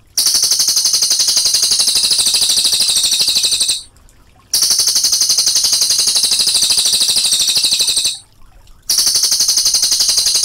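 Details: Long, clear 'ngerol' trilling from a Cililin: sustained, very rapid shrill pulses lasting about four seconds per bout, separated by two brief silent breaks.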